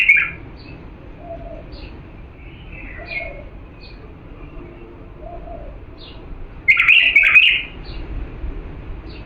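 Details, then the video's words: Authentic Diyala bulbul song used for training young birds to sing: a loud, rich whistled warbling phrase near the end, a brief opening note, and softer scattered chirps and low notes between. "تغريد بلبل ديالى الاصيل لتخريج الافراخ بدون اخطاء صوت صافي"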